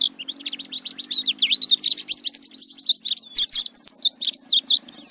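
An Oriental white-eye pours out a fast, unbroken run of thin, high, sweet chirps and twittering slurs, with a faint low hum underneath.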